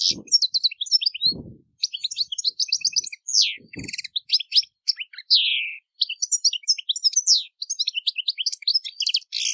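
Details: European goldfinch in full song: continuous bright twittering, upward-sweeping whistles and several drawn-out buzzy notes, with a few soft low thumps in the first four seconds.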